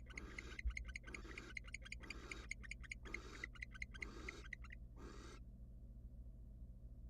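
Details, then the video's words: Wild barn owl at a monitored nest box as the male returns without food and the female, uninterested, turns her back; harsh broadband hissing bursts about half a second long, repeated, with a fast rhythmic ticking between them over low hum. "Male barn owl male comes back without food and female was not interested and gave him the back."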